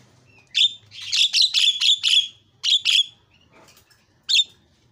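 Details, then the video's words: Javan myna singing: a burst of harsh, buzzy, broadband squawks and chattering notes, mostly in quick clusters over two seconds, then a pause and a single later squawk; faint low hum underneath. "KICAUAN PALING MERDU JALAAK KEBO GACOR"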